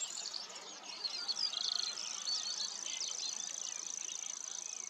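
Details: Common grasshopper warbler singing, a thin, steady, high insect-like reel running unbroken through the clip, with busy chirps and twittering notes from other birds laid over it.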